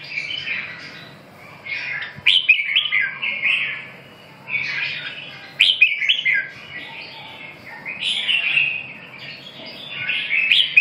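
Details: Red-whiskered bulbul singing: short bright warbled phrases with quick rising and falling notes, delivered in bursts about every three seconds, softer chatter between bursts, faint low hum underneath.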